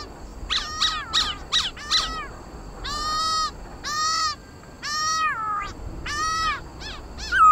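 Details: Laughingthrush (khướu mun) in competitive song, played to stir pet birds to sing: loud, rich whistled notes, first short rapid strokes, then longer slurred phrases that fall and rise, separated by brief pauses.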